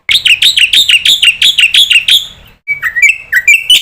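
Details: Jalak putih, the black-winged starling, in lure calling meant to make other starlings answer: a fast run of loud, buzzy, upslurred chirps, then a pause and a few sharper, clipped whistled notes.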